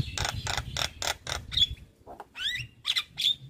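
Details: Very vocal male Javan myna, used as a tutor recording for other mynas: a run of rasping broadband bursts, then rising whistled slurs and a thin pure whistle, with a brief pause between.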